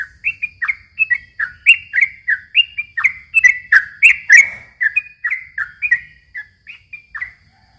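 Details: [7, 'Yellow-vented bulbul giving long, fast-paced song as a lure for young birds, with descending whistled slurs several per second, swelling louder mid-phrase, then thinning to spaced notes.']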